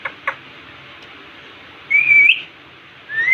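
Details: Indian ringneck parakeet in front of a mirror indoors, giving a clear high whistled note that rises slightly and ends in a short upturn, then a second rising whistle begins; faint clicks before.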